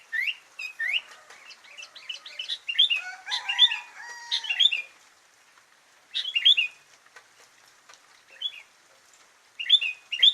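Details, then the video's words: Sooty-headed bulbul delivering clusters of bubbly, upward-flicking chirps, with a lower whistled note around the third second, then a pause and three further short bursts of twittering phrases. "Isian burung kutilang"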